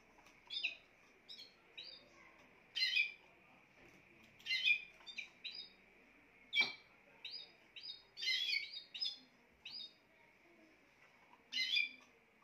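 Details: A Spanish timbrado canary sings a long series of short crisp chips and rattling bursts, some in quick clusters, spread unevenly across twelve seconds over a faint steady hiss.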